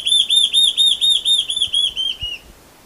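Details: Song of a large-tailed antshrike: a steady string of loud, arched whistles delivered about four per second, the final notes dropping slightly in pitch and fading out, followed by a few faint low thumps.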